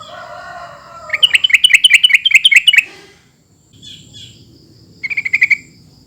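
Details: Sooty-headed bulbul calling to other birds: a faint low warble, then a fast burst of about a dozen sharp repeated chirps, a pause with quiet background, and a shorter burst of similar rapid chirps.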